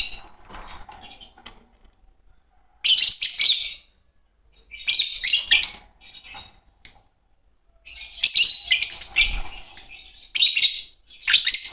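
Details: Green pair of Fischer's lovebirds chattering in loud, shrill, buzzy bursts lasting about a second each, separated by short silences, four main outbursts over the span.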